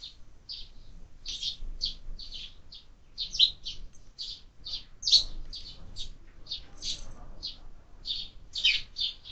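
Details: Sparrows at a window-mounted feeder where birds are fed year-round, giving a steady stream of short, bright chirps, several per second, overlapping and irregular, with faint background rustle.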